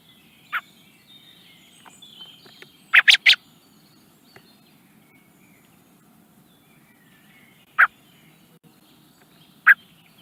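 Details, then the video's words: A young common blackbird in the Netherlands gives sharp, dry chuck notes, once singly, then a quick burst of three, then two more spaced a few seconds apart, over a low steady hum. "A young blackbird makes some nice sounds for the camera"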